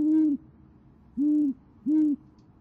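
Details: Great horned owl pair at a nest in Oklahoma City on a January 2014 evening, the female hooting to summon the male and he replying. Three deep, level, drawn-out hoots, each lasting about a third of a second, over faint background hiss.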